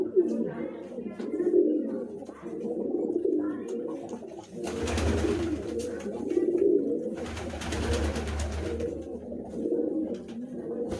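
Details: Fancy pigeons of several named breeds, including Rampuri, Punjabi and Hyderabadi kabutar, making low rumbling coos indoors, repeated irregularly through the stretch, with two bursts of broad rustling or wing noise in the middle.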